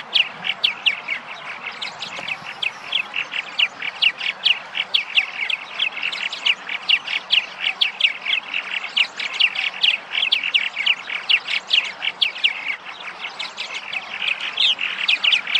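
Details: Purple martins (Progne subis) arriving in spring in Massachusetts at their nesting sites keep up a steady, overlapping stream of bright chirps and gurgling notes, about two per second, like a busy chattering colony.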